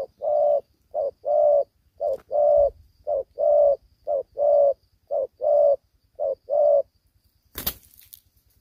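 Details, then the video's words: Young spotted dove lacking its full neck spots, fighting keenly. It delivers seven rhythmic pairs of deep coos, a quick note and then a longer one, before falling silent. A sharp click sounds near the end. "Đồng tơ chưa đủ cườm đấu quá hăng"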